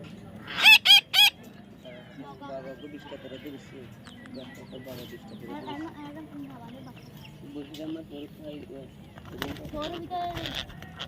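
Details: A young parrot in the middle of taming lets out three loud, grating squawks close together at the start. Long stretches of human speech and faint background chatter follow.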